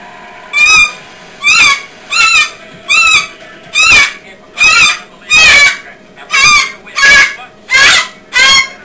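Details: Five-year-old pet Umbrella Cockatoo, excited by a television programme, repeats loud, harsh, raspy screeches about once every second, eleven in a row, with faint background sound between them.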